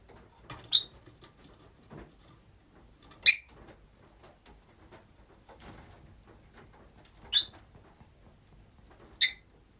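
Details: Several pet rosy-faced lovebirds kept together; four isolated, piercing shrieks, each very short and high, spaced two to four seconds apart against a quiet room.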